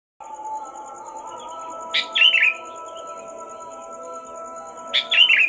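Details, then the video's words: Sooty-headed bulbul singing noisily from 4 am before dawn: two short bubbly, chirping phrases about three seconds apart, each a quick run of warbled notes, over a steady low hum and a faint, regularly pulsing high tone. "ini burung kutilang berisik banget dari jam 4 subuh"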